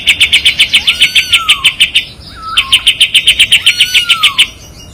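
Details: Kapas tembak white-eye singing a sharp, fiery master song with tight rapid trills for training: fast runs of high chirps repeated about three times a second, with thin descending whistles slurred beneath, a brief pause, then another run.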